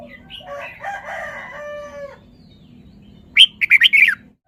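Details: Red-whiskered bulbul kept as a cage bird, performing its song phrases: a two-second mellow warbling passage, a pause, then a quick run of loud, bright, chirping notes.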